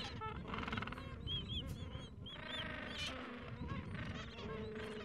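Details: Two-week-old gentoo penguin chicks huddle under their mother out of the cold wind; many thin, high, wavering peeps overlap with brief harsh brays against constant wind noise.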